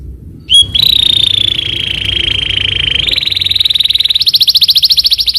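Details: Canary performing full stuffed walnut master style song: a long steady whistled note that slowly rises in pitch, then breaks into a rapid pulsing roll of evenly repeated notes, over faint low room hum.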